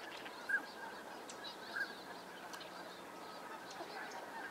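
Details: Northern Pintail (Anas acuta) courtship display in California's Sacramento Valley, where drakes show off on the water and in aerial chases, giving two short, clear mid-pitched whistles about a second apart over distant waterfowl chatter.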